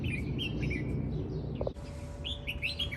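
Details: Invasive red-whiskered bulbul singing in spring among parks and gardens of Campanar, Valencia: short lilting whistled notes in quick series, a sharp click midway, then more bright warbling notes over heavy low background noise.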